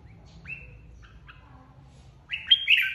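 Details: Red-whiskered bulbul flock leader just removed from an aviary, competition singing: a few soft short notes, then one loud, bright, warbled phrase sliding down at the end.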